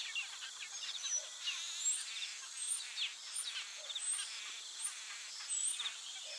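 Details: Taveta golden weaver (Ploceus castaneiceps) colony chatter: dense, buzzy, sizzling notes with high sharp chips about every second, many birds calling at once.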